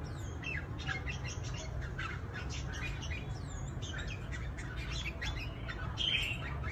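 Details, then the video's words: Red-whiskered bulbuls, trapped fighting birds from Cao Bằng, Vietnam, give dense bright chirps and looping whistled phrases throughout, with a louder upward note near the end and a steady low rumble beneath. "CHÀO MÀO BẪY ĐẤU VIP CAO BẰNG"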